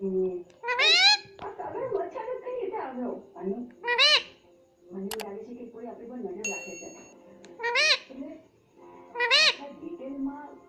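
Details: Baby green ringneck parakeet kept as a pet and taught to say "mummy": four loud, rising-falling harmonic squawks spaced through the recording, with human speech and a metallic ding between them.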